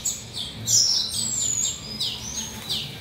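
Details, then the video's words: Male western citril, about two to three years old, singing softly during his molt: a run of quick, high chirps and thin twittering notes with short, sharp downslurred accents. No other clear sounds. "Western Citril Male's Song"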